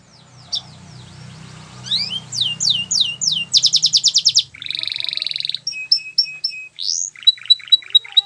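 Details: Belgian canary song in varied phrases: scattered sweeping notes over a low background hum, a rapid high trill, a harsh buzzy roll, then short clipped whistles and sharp repeated notes.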